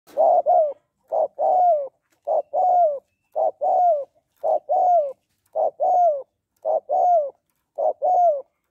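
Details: Female spotted dove calling to stimulate males, in the style known as gáy gọi, thúc, gù: regular two-part coos, a short note then a longer falling one, repeated about once a second, clean with no other sounds.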